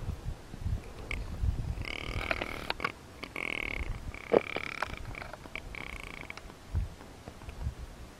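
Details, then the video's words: Small group of rock ptarmigan in breeding season on the Iberian Peninsula, where they are critically endangered: low, dry, croaking rattles in four bursts of about a second each, over a steady rumble of wind. "Perdices nivales en celo (lagópodo alpino)"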